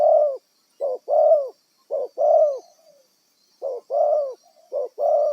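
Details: Spotted dove caught wild and used as a decoy bird, cooing in a repeated two-part phrase of a brief lead note and a long, slightly falling hollow coo, with a short pause between phrases.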